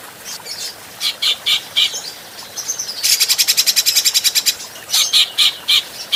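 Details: Grey-cheeked bulbul, adult, in a clean training recording for other songbirds: scattered sharp chips and short buzzy notes, then a dense burst of rapid rasping pulses lasting about a second and a half, then more spaced, clipped notes.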